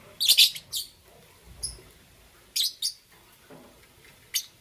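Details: Morning chirping from a lovebird of green, yellow or lutino color: sharp, piercing high notes in short bursts, a doubled chirp early, then pairs of shrill notes and a lone final squeak.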